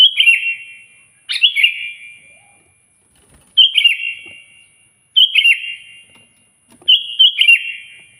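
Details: Loud kutilang, sooty-headed bulbul, calling out a rival: short bubbly whistled phrases repeated about every two seconds, each a quick tumbling cluster of clear notes ending in a fading tail, with a faint steady high hiss.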